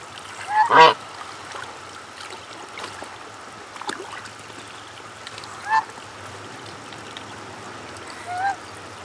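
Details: Farm goose sneezing: one sudden, sharp, noisy snort burst near the start, followed by a few much fainter, softer puffs spaced several seconds apart over a quiet background.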